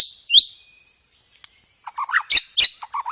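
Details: Loud white-rumped shama song with sparrow-fight imitations and rapid rolls. A single sharp upslurred whistle, near silence, then a cluster of harsh chattering chips and buzzy notes toward the end, over a faint steady high whine.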